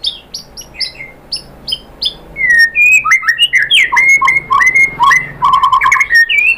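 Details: White-rumped shama song played to provoke other birds into singing; opens with repeated short falling whistles, then loud varied whistled phrases with slurred sweeps, quick trills and chattering notes in rapid succession.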